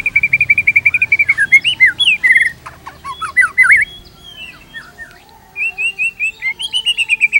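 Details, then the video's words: Fast white-rumped shama song, meant as tutoring material for caged shamas: a rapid run of repeated whistled notes, looping slurred phrases, a brief pause, then another quick repeated series. "PANCINGAN GACOR !! MATERI mewah cocok untuk masteran semua jenis murai | shama bird"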